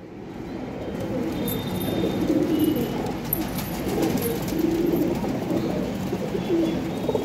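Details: Pigeons at a loft in Gujarat, India, giving low, rolling coos that repeat and overlap through steady background noise, with faint higher chirps from other birds.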